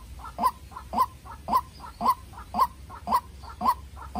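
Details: A young farm-raised decoy White-breasted waterhen calls in a fierce contest against a wild bird. Clear, strongly regular double croaks repeat about every half second on a quiet background.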